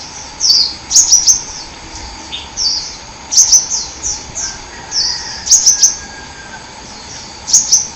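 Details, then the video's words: Hummingbird from the forest giving very high, thin, chirping phrases: sharp ticks mixed with short slurred whistles, in clusters about every two seconds, over a steady faint hiss. "KICAUAN BURUNG KOLIBRI ASLI DARI HUTAN"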